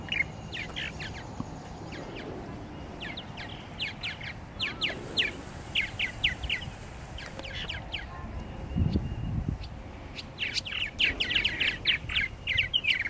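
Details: A purple martin colony at its nesting gourds, Lake Mackintosh, Gibsonville, North Carolina, filmed on a Canon Powershot SX-40 HS: steady rapid chirping, roughly four notes a second, with a brief low thump partway through.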